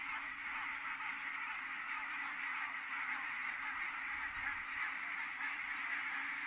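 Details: Many geese landing at Kulgur, Estonia, 4 May 2018, 17:58. Loud, continuous massed honks and chatter blend into a thick, even roar with no gaps.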